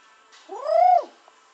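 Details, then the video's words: Nias hill myna from the tropical forests of Indonesia's Nias area, a tame bird imitating human speech: one loud, nasal, arched note that rises then falls over about half a second, rich in harmonics, against a quiet background. "gracula robusta sounds like a human"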